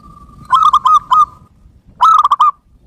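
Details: Zebra dove of a local type, used as lure audio for trapping: two bursts of quick, rolling coos about one and a half seconds apart over a low background rumble.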